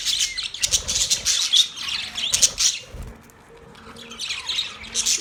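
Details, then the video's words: Domestic Budgerigar, the Australian parrot, giving clipped high chirps and scratchy chatter in bursts, thinning out to quieter scattered notes in the second half over a faint low tonal hum. "Australian Parrot Bird Chirping sound"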